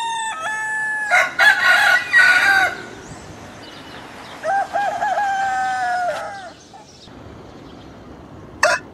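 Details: Domestic rooster crowing in Southwest Asia: a loud, coarse, broken crow, then a second, smoother drawn-out crow two seconds later, ending with a brief sharp burst.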